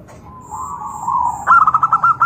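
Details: Zebra dove cooing to set off replies from other doves; a low drawn-out murmur rises into a quick series of clipped, bouncing coo notes at the end.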